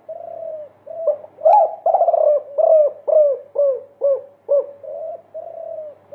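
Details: Spotted dove multi-coo song used as a tutor recording for caged birds: a steady chain of low, rounded coos, about two per second, some louder and slightly buzzy, delivered in a continuous run.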